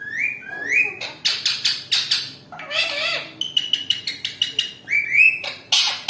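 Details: An angry, fighting Indian ringneck parakeet gives rising whistled notes, then bursts of harsh rasping squawks in quick succession, with no other sounds.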